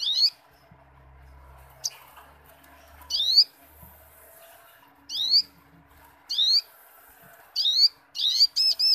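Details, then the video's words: Training recording of a persistently singing little spiderhunter: scattered buzzy, rising high notes separated by pauses of one to two seconds, ending in a denser burst of sharp chips and ringing phrases; faint low rumble early on. "Burung mastera sogo ontong gacor ngobra"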